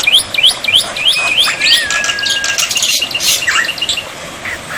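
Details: Black-winged myna tutor song for coaxing quiet birds to respond, mixed with water therapy: quick high upslurred chirps, then a long, gently falling whistle, followed by scattered bright chips.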